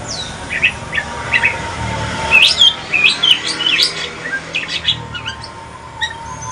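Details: Evening song of a mutated Aceh pastol white-rumped shama, quieter and partly distant: scattered whistled notes and short twittering phrases over faint background noise.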